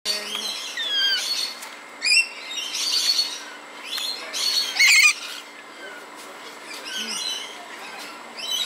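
Coconut lorikeets give harsh, shrill screeching bursts, one every second or so, with brief pauses between them. Softer chatter fills the background.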